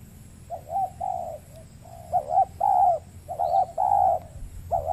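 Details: Spotted dove in the wild on peat ground, Riau Islands, Indonesia, responding to a trapping decoy; gentle cooing phrases starting quietly then louder, hoarse doubled notes followed by longer rolled ones.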